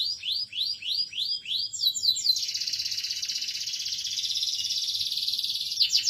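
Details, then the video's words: Domestic canary song: a series of quick rising whistled sweeps, then a sustained, dense, buzzy roll that carries to the end. "kenari gacor good canary singing"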